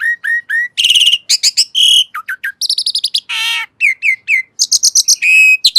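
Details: ['Asian pied starling song: a rapid, varied medley of clear whistles, repeated short rising notes, buzzy harmonic phrases and sharp chirps, delivered with brief pauses between phrases.']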